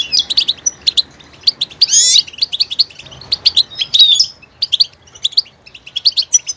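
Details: Goldfinch twittering song with quick chirps, a loud sweeping buzzy phrase around two seconds, and further varied trills and tinkling notes.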